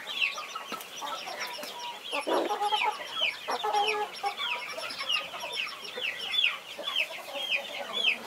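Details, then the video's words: Mother hen protecting her brood of 21 baby chicks gives short, low, throaty clucks in bursts, loudest around the middle. Many high, descending chick peeps chatter continuously over them. "Mother hen protecting her 21 Baby chicks"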